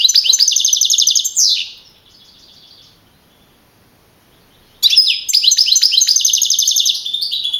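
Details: Young male European goldfinch, first-placed in a Madrid-region singing contest in April 2012, pours out a fast buzzy trill that fades, goes quiet for several seconds, then bursts back into dense twittering.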